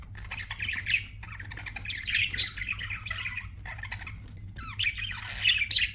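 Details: Budgerigar chirping: soft warbling chatter broken by a few sharp, piercing squeaks, short buzzy notes with brief pauses between bursts, quiet hum beneath.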